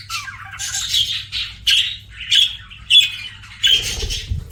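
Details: Pet budgerigar chattering indoors: scratchy high chirps and squeaky notes in uneven bursts about every second, louder spikes near the end mixed with a brief low rumble.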